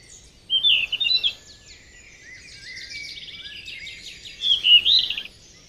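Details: A yellow-rumped flycatcher in the wild gives a loud sweet warbled phrase, then quieter rapid trilled and chattering notes, and ends with another clear rich warble, all high-pitched over a faint natural background.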